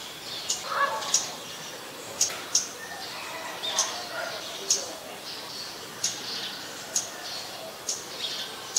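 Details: Scarlet-backed flowerpecker, a very common resident, recorded at Ubon Ratchathani, Thailand, on 5 February 2020 with a Nikon P1000: sharp, very high ticking notes repeated about once a second, with faint softer chirps behind.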